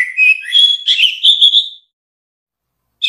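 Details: Orange-headed thrush song from a collection meant as a training tutor for songbirds: a burst of clear whistled notes that rise and waver upward, then a long silence and the start of a new phrase.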